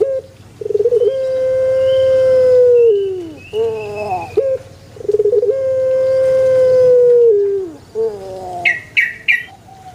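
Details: A male Barbary dove sings two long, even coos, each opened by a rolling stutter and ending in a downward slide. Bright chirps from a small bird close the passage.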